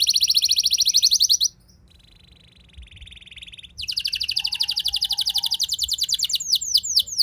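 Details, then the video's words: Rolling 'ngeroll' canary song meant to provoke other canaries to sing: a dense high trill, a short quiet gap with a faint thin buzz, then a long rapid rolling trill closing with a few sweeping whistled notes. "Pancingan Burung Kenari Ngeroll Mewah! Bikin Emosi Kenari Lain Auto Terpancing Jadi Gacor"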